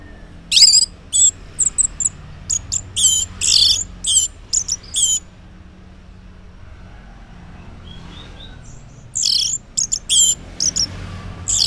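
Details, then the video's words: Orange-headed thrush morning song meant to lure silent males into answering: dense bursts of high, buzzy, mimic-like notes in quick series, a quiet gap, then another energetic burst. "Cocok Buat Pancingan ANIS MERAH Ngeplong di Waktu Pagi Hari Yang Macet yang Bisu Kalo Jantan Nyaut.."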